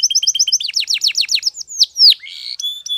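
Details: Spanish Timbrado canary training song: quick two-toned chirping notes speeding into falling sweeps, a few loud downward whistles, then a brief buzzy trill and a thin held tone.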